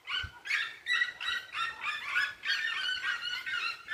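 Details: Red-legged seriemas singing at dusk on a rural smallholding, a loud run of harsh, overlapping yelps at close to three per second, blending into a continuous clamour.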